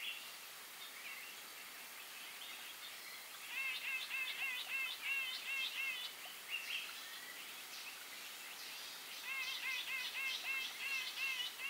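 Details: Grey-eyed bulbul calling: after a quiet start, rapid runs of short, sharp, upslurred chirps repeated several times a second, in bursts of a few seconds, over a steady hiss of background noise.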